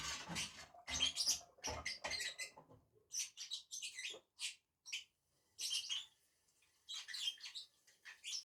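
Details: Two lovebirds eating together on a tree, giving rapid high-pitched chirps and squeaky calls in bursts, with short pauses between clusters.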